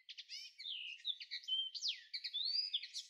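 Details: Common linnet in May 2013 giving a fast, unbroken twitter of bright chirps, short buzzy notes and a few clear rising and falling whistles, all high-pitched. Nothing else is heard.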